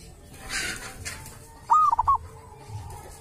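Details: Zebra dove living wild at a sacred tomb, said to have its own particular voice. After a brief hiss of noise, one clear phrase sounds: a rising coo, then three quick bubbling notes.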